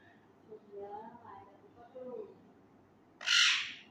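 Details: Male Indian ringneck parakeet, a pet learning words: soft, low, murmured speech-like warbling for three seconds, ended by a sudden loud, piercing screech.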